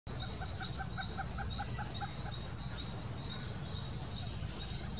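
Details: Male Blue-crowned Trogon (Trogon curucui) in Bonito, Mato Grosso do Sul, Brazil, October 2024, gives a quick, even series of about eight soft hooting notes over a low rumble and a steady high insect drone.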